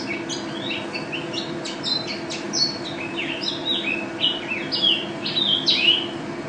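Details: A first-place national champion pleci white-eye gives a lively, chattering song of closely packed high chirps and short slurred whistles that grow louder toward the end, with a low hum in the background.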